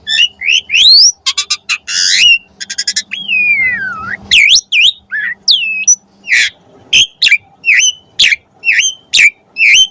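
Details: Asian pied starling song used as a master recording for pet starlings: dense chattering bursts, a long descending slurred whistle, then sharp upswept whistled notes repeated roughly every half second.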